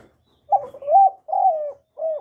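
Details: Spotted dove cooing repeatedly to draw in other doves: a run of low, mellow, slightly wavering coos, the first phrase rising then falling, followed by two shorter level coos in quick succession.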